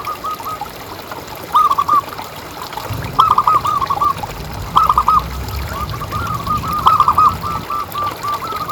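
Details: Zebra dove, a local strong-voiced caged bird, calling to encourage other doves to sing. Short rolling runs of soft hooting notes recur every second or two, the last run long and stuttering, with steady hiss and low rumble behind.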